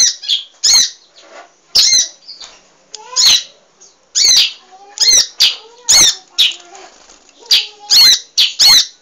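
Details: Emprit (munia) in lively song for training cage birds: repeated harsh, high squeaky chirps at irregular intervals, with faint softer whistled notes lower in the background.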